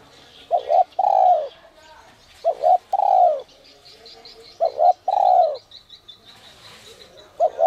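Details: Spotted dove (cu đất) of the 'còi te te' voice, used to lure wild doves. Four phrases run about two seconds apart, each two short notes and then a longer falling coo. A small bird's rapid high chirps run alongside.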